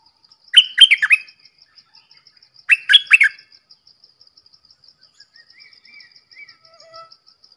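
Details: Red-whiskered bulbul singing two short bursts of bright, bubbly warbled notes about two seconds apart, with a steady high ticking insect-like pulse underneath and faint softer notes after.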